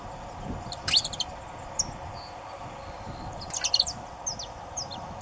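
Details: Saffron finch singing: quick bursts of bright, high chirps cluster around the first and fourth seconds, with scattered single sharp notes between them over a faint steady background hum.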